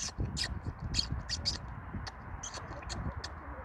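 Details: Pin-tailed whydah foraging on grass, 18 April 2021, where the species was introduced in the late 1990s: brief high-pitched chip notes repeated about twice a second, irregular, with a low murmuring rumble beneath.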